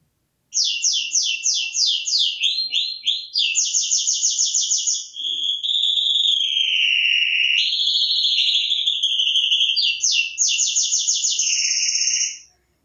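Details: Songbirds in a preserved native woodland inside a city neighbourhood, recorded 25 July, give high, almost unbroken song for about twelve seconds: fast buzzy trills run into long sweeping whistles and back, with no other sounds.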